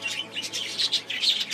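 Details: Eleven budgerigar chicks, recorded 11 March 2020, give rapid, raspy high chirps in overlapping bursts, a steady begging chorus.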